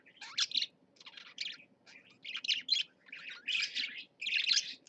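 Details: Parakeets kept in a cage give grouped, scratchy warbling phrases about half a second long, spaced by short pauses, each burst high and buzzy.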